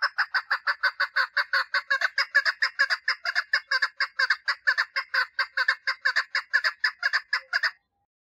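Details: A female chukar partridge calls for mating with a long, sustained run of about forty raspy chuk notes, roughly five per second, that stops abruptly near the end.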